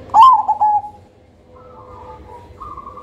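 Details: Black zebra dove of the Cemani Majapahit type with a thick, loud, soothing voice, kept as a lure bird: a loud opening phrase of quick, bubbling coos, then quieter steady humming tones.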